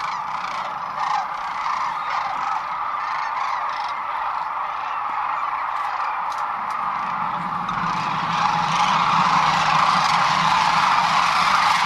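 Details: Sandhill cranes roosting at night on the Platte River near Gibbon, Nebraska, spring 2015, panicking as a hawk flies over; a massed rattling chorus swells louder and harsher after about eight seconds.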